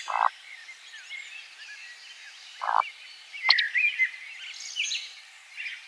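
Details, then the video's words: Eurasian woodcock singing while displaying in flight at nightfall over a spring forest: two short, low croaking grunts about two and a half seconds apart, set against a busy chorus of high twittering songbirds. "Eurasian WOODCOCK bird sounds at night"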